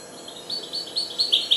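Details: Four-month-old goldfinch hybrid beginning to sing, giving a short string of high, sweet twittering notes that grow louder toward the end, over faint background hiss.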